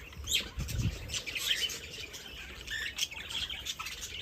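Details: Several birds chirp at once in a steady jumble of quick, high tweets and brief squawks, with a soft low thump near the start.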